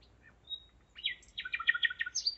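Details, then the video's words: Nightingale song recorded in Zeitz, Germany, at 01:55 on 5 May 2017: a thin high whistle followed after a pause by a rapid, dense series of rich repeated notes and a final high whistled note. "Gesang der Nachtigall - Song of the nightingale"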